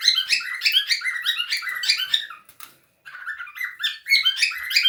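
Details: Several cockatiels playing together give a dense run of chirpy, squeaky calls and short whistles, overlapping in quick irregular bursts, with a brief silent gap before the chatter resumes.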